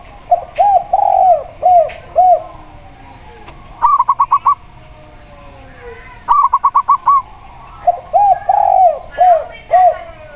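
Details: Zebra dove (perkutut lokal) paired with a steady tekukur dove: two rapid bursts of five to six bubbly staccato coos alternate with series of lower, arched, evenly spaced coos from the other bird.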